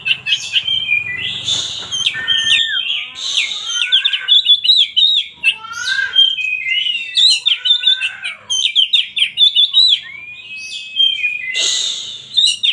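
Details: Kacer, the oriental magpie-robin, delivering a lively medley of sweeping whistles, rapid trills and scratchy bursts, with a smooth level whistle near the end and brief harsher noisy notes between phrases.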